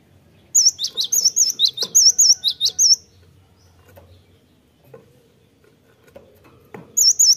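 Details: A cinereous tit gives a lure song used to trigger singing: a quick series of about twelve bright, high, rising-and-falling whistles, a long quiet pause, then the phrase starting again.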